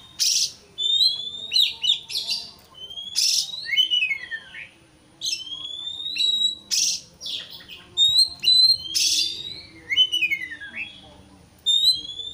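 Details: White-rumped shama, a caged bird, in audio meant to provoke a rival into singing. Dense whistled slides and downward sweeps alternate with rasping noisy bursts in continuous energetic phrases.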